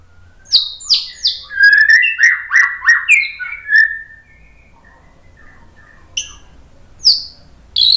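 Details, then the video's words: White-rumped shama singing to draw other birds into song: a rapid run of sharp downslurred whistles and chattering notes for about four seconds, then a pause broken by two isolated high strident calls. "TEMBAKAN MURAI BATU biar NYAUT ikug GACOR BONGKAR MATERI ¦ PANCINGAN MURAI"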